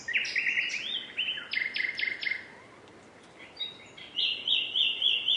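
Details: Common nightingale song of fast looping trills, a row of loud repeated notes, a short silence, then bright high chattering phrases.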